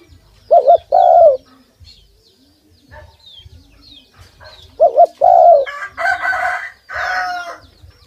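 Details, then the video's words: Hand-fed pet dove cooing twice, each phrase a wavering double note then a long falling hoot, followed by two louder harsh, broadband bursts and soft background chirps. "An Awesome Dove Sound"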